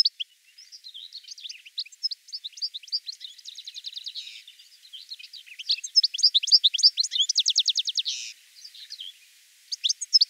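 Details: Long European goldfinch song of fast twittering notes interspersed with buzzy rattling trills, about ten seconds of near-continuous liquid chatter.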